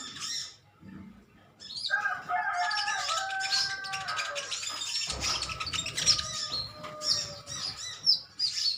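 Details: A sunbird colony of metallic-green birds calling back and forth: a quiet start, then a rush of thin high chirps and trills over a few sustained whistled tones.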